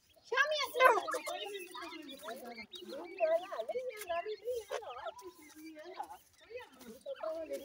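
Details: Grey francolin chicks calling: a busy stream of short, sweeping chirps and peeps, some rising and some falling, overlapping almost without pause, with faint background murmur.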